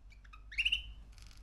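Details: Three-month-old male canary giving a few short high chirps, then a bright note sliding upward and held briefly, followed by a soft raspy buzz; low room hum underneath.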